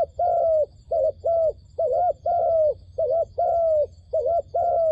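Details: Decoy dove for luring wild doves to a trap, cooing almost continuously in rounded, arched notes. Short and drawn-out coos alternate in quick succession.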